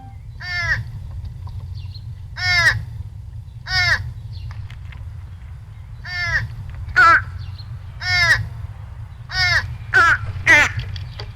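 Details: American crows, likely juveniles or adult females near nesting season, giving begging calls: nasal, buzzy caws sliding downward about every one to two seconds, some overlapping, over a low steady rumble; resembles fish crow calls.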